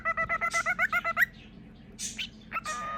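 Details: Pet cockatiel at its peekaboo game: a quick run of ten evenly spaced, clipped harmonic notes rising at the end, then a few breathy squeaks and a short squawk.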